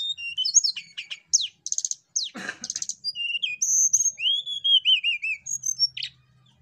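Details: Javan banded pitta song played to provoke other birds to sing: varied high chirps, rapid trills and buzzy notes, then long clear whistles sliding downward in a wavering series, ending with a sharp high note.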